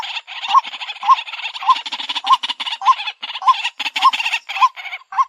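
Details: White-breasted Waterhen lure sound: a mid-pitched hooked note recurs about every half second beneath thick, scratchy chattering. A few low croaks are also heard.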